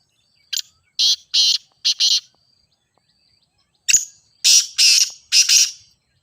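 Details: Teetar (grey francolin) voice intended to make captive francolins sing during training: loud grating bursts in two groups, a short note then doubled rasps, repeated after a pause of about two seconds.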